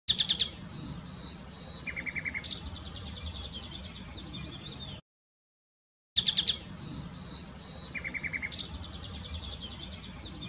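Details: Common nightingale singing at Dohr in the Eifel, Germany: a sharp burst of notes, a short low trill and a buzzy series of repeated notes, heard twice with a silent break between.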